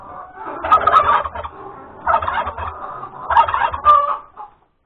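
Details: Hen calling after laying an egg at breakfast time on 31 January 2021: three loud, harsh cackling bursts, each about a second long with a strained, nasal tone, separated by short pauses.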